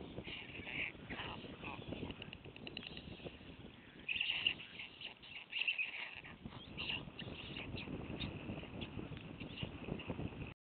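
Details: White storks at a nest in Wilsum, around 14:00, after the youngest chick was killed about 11:00 and lies among the other young, clatter their bills in dry, rapid wooden rattles swelling in bursts, over steady hiss.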